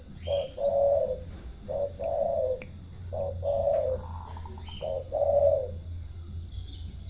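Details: Rolling, purred song of a turtle dove, four paired phrases of a short burr and a longer drawn-out purr, spaced around a second apart, over a quiet low hum with a few faint clicks.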